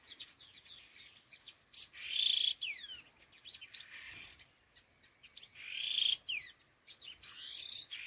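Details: Two laughingthrushes (khứu lùn) give loud grating, buzzy bursts with quick descending whistles, rising to peaks around two and six seconds amid brief chirps.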